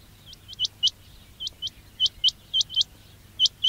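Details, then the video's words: Quail calling for trapping use, with clipped rising whistles in quick doublets and singles and a faint low hum beneath. "quail batair ki awaz"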